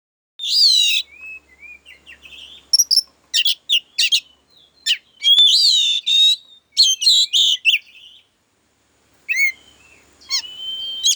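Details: Oriental magpie-robin in agitated, emotional song meant to provoke other birds: loud, varied phrases of clear whistles, sharp chips and rapid scratchy notes, delivered in quick bursts with short pauses.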